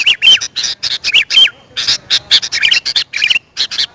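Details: Sooty-headed bulbul call recording for attracting wild birds: bursts of dry chattering notes mixed with bright, slurred whistles that rise and fall, in clusters separated by brief pauses.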